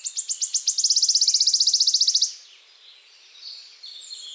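Wood warbler song: high, sharp ticking notes speeding up into a shivering, metallic trill lasting about two seconds. Faint calls of other birds follow.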